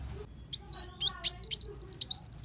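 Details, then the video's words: Sunbird song used as tutor recording for cage birds: after a quiet start, a rapid string of thin, very high notes, sharp downward-sweeping ticks mixed with short whistled slurs, about fourteen in under two seconds, with faint low background hum. "suara burung kolibri wulung sangat cocok buat masteran"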